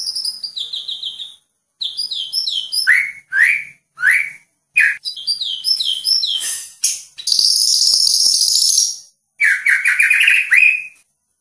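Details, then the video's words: White-rumped shama of the Medan type, a very active singer, gives a loud, varied stream of phrases: sweet falling whistles, rapid chattering trills and a long harsh, scratchy burst, with brief pauses between phrases. "murai batu medan super gacor"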